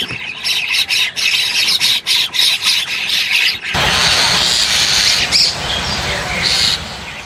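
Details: A breeding colony of Bank Mynas nesting in burrows in a high sandy riverbank in Bangladesh make a dense, high chatter of squeaky, scratchy notes, first in quick bursts, then swelling into a continuous din.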